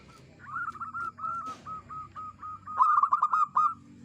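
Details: Local zebra dove kept as a lure bird for trapping, its clear voice giving a string of short separate coos that speed into a fast rolling burst near the end.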